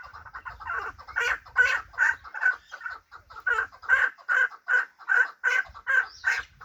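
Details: Hybrid fighting chukar partridge giving a repeated, throaty, clucking call, about two and a half notes per second, each note mid-pitched and rough, with faint low rumbling noise in the first seconds.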